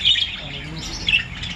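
A budgerigar gives short, scratchy chirping bursts with a brief pause between them.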